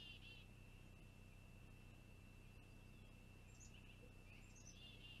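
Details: Long-eared owlet on a live nest camera, 26 June 2020, waiting for a parent to bring food: thin, high, wavering squeaks in short clusters at the start and end, over a steady electronic whine and background hiss.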